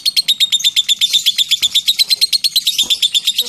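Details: Lovebird delivering a 'ngetik' long trill: quick, piercing ticking notes repeated at a steady brisk pace, continuous and slightly rougher midway, with a couple of soft knocks and a quiet hum behind.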